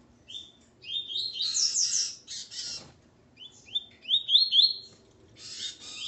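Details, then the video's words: Coleiro male of Ponto 50 song style, shown with his Calibre 40 female; loud whistled phrases of rising slurred notes, repeated twice with a harsh buzzy burst between them. "Coleiro Ponto 50 e sua Fêmea Calibre 40."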